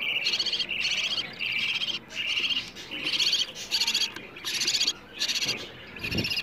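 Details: Budgerigar chicks begging for food with harsh, buzzy, high-pitched chirps in bursts of about half a second with brief gaps, repeating steadily; played to stimulate budgerigars to breed.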